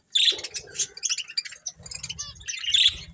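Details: Colourful pet budgerigars chirping while eating: a busy run of short, high, scratchy chirps and warbled notes, with soft low knocks and rustling underneath.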